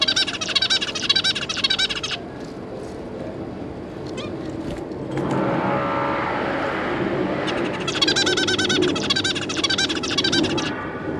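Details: Two adult zebra finches with three young birds, 5 August 2022: fast chattering bursts of nasal, buzzy repeated notes lasting about two seconds each, separated by a stretch of rushing noise and a few scattered clicks.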